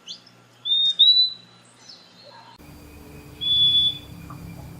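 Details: Purple-throated Euphonia giving clear, high, level whistled notes, two close together and then one longer whistle after a short pause, over a quiet low hum.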